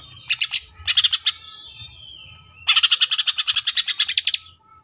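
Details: Tembakan-style song of a cucak ijo (greater green leafbird): two short clusters of rapid chips, a thin drawn-out whistle, then a fast steady rattle of loud buzzy notes for nearly two seconds.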